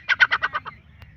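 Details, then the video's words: Irani teetar, a francolin: six harsh, raspy, evenly spaced notes delivered quickly in under a second, each slightly softer than the last, fading to a faint trailing note against a quiet low background hum. "Irani teetar ki awaz"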